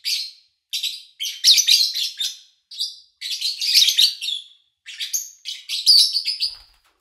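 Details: Lovebirds recorded in August 2019 while human activity nearby was low. Harsh chirping phrases of several rapid notes come in bursts of about a second, separated by short quiet gaps.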